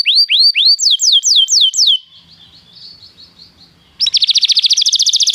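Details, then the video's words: Canary song played to prompt a canary to sing: fast descending whistled slurs repeated in series, a pause of faint background hum, then a rapid buzzy trill of rising notes. "esta espetacular canção do canário"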